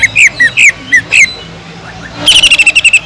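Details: Greater green leafbird in full song, with kingfisher-like phrases used to train other leafbirds: five loud slurred whistles, a brief pause, then a fast dry rattle of about ten clipped notes.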